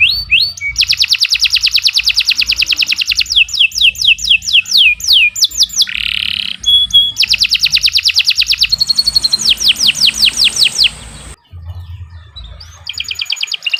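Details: Long continuous canary song for tutoring other birds: varied phrases of rapid rolling trills, buzzy chatter, down-slurred whistle series and a sharp high tone, with a short pause near the end before trilling resumes.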